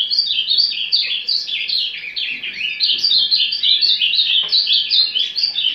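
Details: An Ultramarine Grosbeak (azulão) warbles a fast, unbroken stream of high twittering notes, its quiet subsong warm-up, over a faint steady electrical hum.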